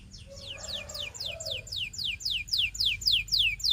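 A canary sings a fast, rolling trill of bright, downward-sliding whistles, about four a second, with a faint lower tone early on.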